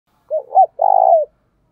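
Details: Decoy spotted dove cooing, used to lure wild doves: two short rounded coos followed by a longer, steady, throbbing note that falls at the end, low and clear with a silent background.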